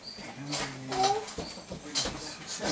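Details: A Common Starling, recorded 20 May 2016, gives a jumbled song of thin high whistles, nasal harmonic notes and scratchy clicks and rattles, with faint human voices in the background.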